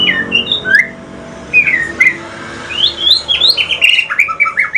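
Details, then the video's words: White-rumped shama from Aceh, male, in a talkative song moving into the pastol style: varied loud whistled phrases, rising and falling slurs, building to a fast run of bright notes at the end. "Kicauan sore hari murai mutasi ke pastol si paling cerewet"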